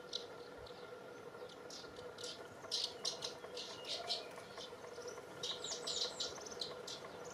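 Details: Short, high chirps from Eurasian crag martins in Penha Garcia, Portugal, come in irregular bursts, some doubled, over a steady low humming drone and faint background hiss.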